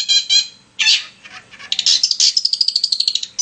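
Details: Long-tailed shrike singing to provoke another shrike: harsh grating notes and squawks, then a rapid run of thin descending whistled notes.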